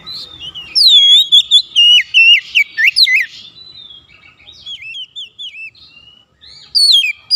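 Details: Magpie-robin calling its companions, with others responding. A lively sequence of rapid, rich whistles, each note swooping up then down, repeats in quick succession. A softer, lower-pitched answering phrase follows before a final loud burst.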